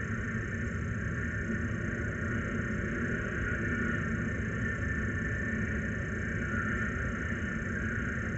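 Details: Steady broadband rumble and hiss, like traffic or machinery, runs unbroken with no animal call heard.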